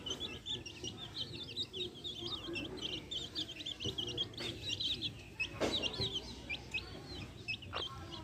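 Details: Backyard chicks with hens: dense chorus of high, quick, downslurred chick peeps, repeated several per second, over faint low clucks and a few knocks.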